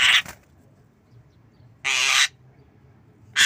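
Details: Cough-like sounds from a Javan myna practising a cough while nodding: three dry, noisy bursts, the middle one longer, separated by quiet pauses.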